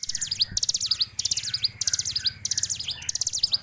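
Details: Fighter-type hill prinia singing rapid, high-pitched chattering phrases of V-shaped sweeps, about four phrases in under four seconds, each separated by a short silent gap.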